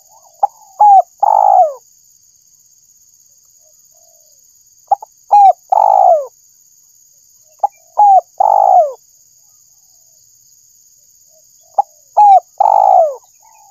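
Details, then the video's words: Spotted dove lure call, repeated four times: each phrase a short clipped note, a quick coo and a longer falling coo, with phrases spaced roughly three to four seconds apart; faint steady high hum in the background. "suara burung tekukur_pemancing suara tekukur"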